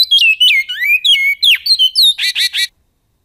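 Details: A great-billed seed finch sings in the Goiano song style: a rich, fluty phrase of slurred whistles, rising and falling, ending in a few quick buzzy notes.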